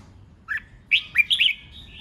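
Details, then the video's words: Provocative fighting song ('hót ché') of a red-whiskered bulbul, used to stir rival birds; one short whistle, then a rapid string of clear, slurred notes trailing into a faint thin tone. "Kích Chào Mào Hót Ché/ Kích chào mào hót đấu hay nhất,bổi nghe là hót theo,khiến bổi ức chế căng lửa"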